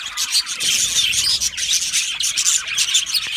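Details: Many budgerigars in an Australian budgie aviary produce a busy, high-pitched jumble of twittering chirps and harsh squawks, steady and unbroken throughout.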